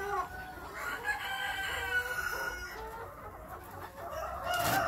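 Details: Several captive-raised chukar partridges (Alectoris chukar), hatched this year and kept for breeding next spring, give overlapping clucking, nasal calls that rise and fall in a continuous chattering jumble with no pause.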